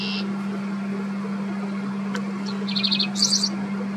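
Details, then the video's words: A Dickcissel in the Midwest sings: a quick run of sharp, high chips ending in a brief, higher buzzy trill, over a steady low hum. "Singing Dickcissel"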